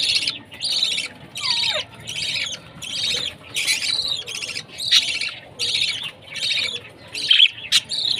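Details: Young budgie at feeding time giving a steady series of buzzy, harmonic chirps in evenly spaced bursts, with one clear descending whistled note early on.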